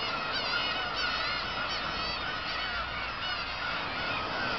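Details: Crowded black-tailed gull colony at Kabushima, 2 August 2012 after fireworks: continuous overlapping wavering cries and yelps, several long level mews threaded through the chatter.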